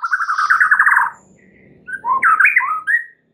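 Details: White-rumped shama 'isian' song for prompting other birds: a fast rolling trill lasting about a second, a short gap, then loud varied whistled phrases with upward and downward sweeps.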